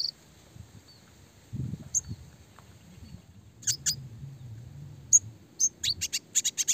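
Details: Songbird training recording of a red siskin with a clear voice: a few isolated high squeaks, then a quick run of sharp, evenly spaced chirps in the second half over low background murmur.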